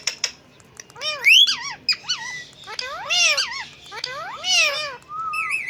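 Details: Pet parrot on a bird stand, imitating speech: loud squeaky voice-like phrases with swooping, wavering tones rising and falling, short syllable bursts separated by brief pauses, ending in a flat whistled note, in a small indoor room.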